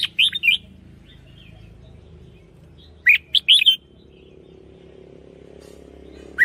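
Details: Red-whiskered bulbul singing lure song with a double phrase: short clusters of three to four clear, rolling whistled notes, repeated roughly every three seconds, with light background hum between them.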